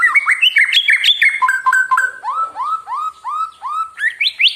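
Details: White-rumped shama singing, a lure to provoke other birds into singing and stir them up: varied loud whistled phrases, sharp chips and steady upward-swept whistled notes repeated roughly twice a second, ending in rising slurs.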